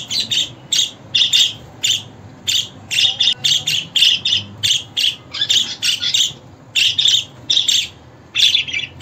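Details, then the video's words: Budgerigar chattering continuously with a fast run of short, buzzy, high chirps, spaced only fractions of a second apart, with hardly any pauses. "Muhabbet Kuşu Sesi, Kuşunuz Kesin Ötecek, Karşılık Verecek, Muhabbet Kuşu Çağırma Sesi!"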